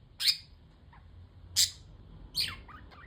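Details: Three sharp, loud budgerigar chirps spaced about a second apart, with faint softer twitters between them over low room noise.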